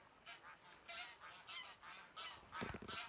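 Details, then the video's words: Flock of geese at Værøy, Norway, giving overlapping nasal honks, several per second at varying pitch, with a brief rumble of wind or handling near the end. "Goose Flock Making Beautiful Noises"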